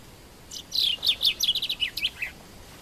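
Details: Common chaffinch from Morocco singing one phrase: a quick run of bright, high notes that speed up and fall in pitch, closing with a short flourish, the whole phrase lasting under two seconds against a quiet background.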